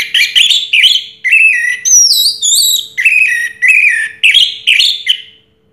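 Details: Orange-headed thrush, the 2022 first-place contest champion, pouring out a continuous song of varied whistled phrases. Bold slurred notes mix with high, wavering sweeps, each phrase repeated about once a second.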